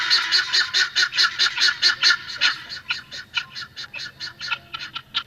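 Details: Helmeted guineafowl on a village farm giving harsh, grating notes in a fast, steady series, about two per second. The calls fade slightly toward the end.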